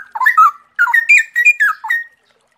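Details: A straw-headed bulbul pours out loud, clear, bubbling whistled phrases in two quick rolling bursts, notes swooping up and down in rich warbles, recorded alongside the sound of flowing water.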